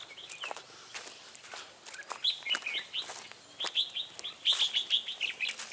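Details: Red-whiskered bulbuls at a trap cage on 10 December 2016, a decoy luring a wild bird; loud whistled warbling phrases mixed with sharp clicks and wing-flutter knocks, growing into a rapid series of bright notes.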